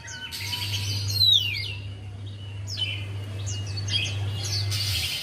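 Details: Song of a Javan white-eye, used as a lure for a reluctant singer; bursts of high chattering notes and a bright descending whistle, separated by brief pauses, with a constant low hum underneath.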